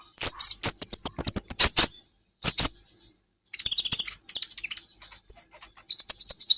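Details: Sunbird training recording, Indonesian konin: a high thin trilled phrase with rapid clicks, a brief pause, then dense buzzy chattering and quick whistled notes.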